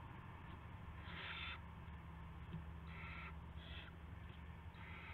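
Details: Owl at a nest before dawn on March 9, 2016, when a rat arrives as prey. There are several breathy, noisy screech bursts of varying length, spaced irregularly every second or so, over a constant low hum and faint clicks.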